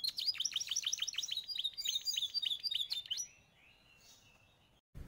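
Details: Belgian canary, one of three yellow birds, delivers a rapid rolling trill of high down-slurred notes for about three seconds before falling quiet.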